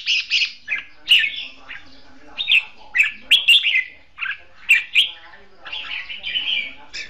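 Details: Red-whiskered bulbul, a caged decoy bird used for trapping, singing in competition style: short bright warbled phrases around the mid-high range, fluttering and slurred, given in quick bursts with brief gaps between.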